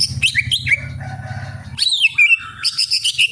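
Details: Greater green leafbird in full, lively song: rapid varied whistles, sharp upward slurs and sweeping notes, then a pulsing series of bright repeated chips, over a low droning hum in the first half.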